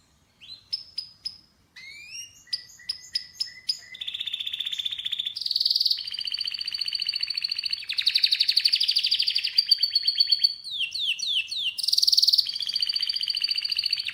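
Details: Loud, varied canary song: opening sharp rising notes give way to long rolling trills and buzzy rattles, the pitch stepping up and down between phrases.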